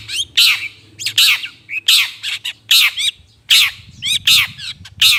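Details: Lure sound for trapping long-tailed shrikes: loud, hoarse, scolding notes with buzzy descending tails, about 76 per minute, separated by short clicks, over a soft low rumble.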